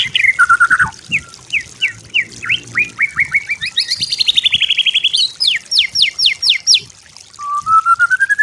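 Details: White-rumped shama singing a master song meant for training other birds: a fast varied run of sharp upslurred and downslurred whistles, a dense buzzy trill in the middle, then a slow rising whistled phrase.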